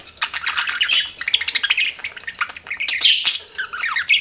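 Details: Pet budgerigars chirping in a dense, continuous chatter of quick warbled notes and squawky trills, mostly high-pitched with rapid rising and falling flourishes; several birds overlap throughout.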